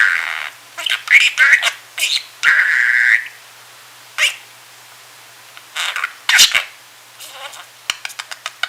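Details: Sleepy pet budgerigar, a male indoors, keeps mumbling while napping: scratchy warbled phrases and a sustained buzzy note, then scattered short chirps and clicks with quiet gaps between.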